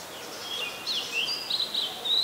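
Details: Common Tailorbird, an adult and common resident, in Ubon Ratchathani, Thailand, 2 March 2023: a short burst of high, clear, slurred chirps in quick succession, some rising and some falling, with light background noise.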